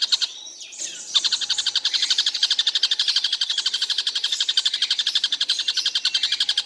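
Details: Following a brief rustle, a Stork-billed Kingfisher that calls all day keeps up a dense, rapid train of raspy notes, around four per second, steady to the end.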